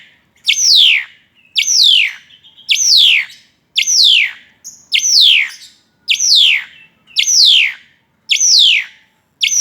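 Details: Vigorous singing from an Asian pied starling while tripping: the same high, falling, slightly harsh note returns at even one-second intervals, about nine times, with a faint short note between some.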